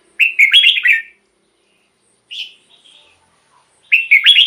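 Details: Red-whiskered bulbul song, played as a decoy or to rouse caged birds. A rollicking phrase of rapid whistled notes, a single brief note in the silence, then the phrase starts again nearly four seconds later.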